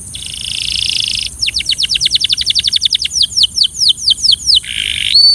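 A Belgian canary sings a bright, rapid song: a buzzy trill, then a run of quick descending notes that slow into longer swoops and end in another trill.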